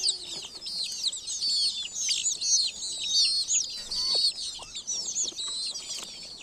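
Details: Village chicks keep up constant shrill peeping, a crowd of overlapping high chirps that slur downward, with occasional lower soft clicks beneath the chorus.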